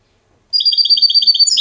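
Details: Educated captive European goldfinch performing silvestrismo clean song, Diego Murcia and Zujareño styles: after a brief silence, a rapid run of bright, regularly pulsed high twittering notes, about a dozen per second, in a clean recording.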